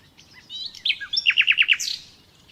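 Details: Common nightingale (Luscinia megarhynchos), song.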